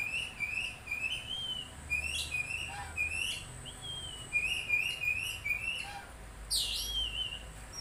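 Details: Oriental magpie-robin singing a string of clear whistled phrases that waver and slur up and down, broken by a few sharp high notes and a loud harsh burst near the end.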